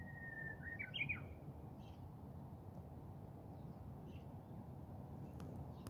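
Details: Japanese bush warbler singing at dawn at Kisoue in its singing season: a long, steady whistled note, then a quick rising and falling flourish. Faint chirps follow over constant low rumbling background noise.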